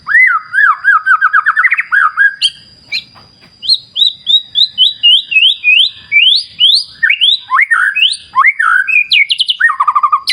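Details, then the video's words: A white-rumped shama pours out a long varied song by a clear wild river: descending looped whistles, a pause, then rapid strings of sweeping notes, rising chips and quick trills, with a steady high whine behind. "Terapi Murai Batu Ala Alam Liar Sungai Jernih"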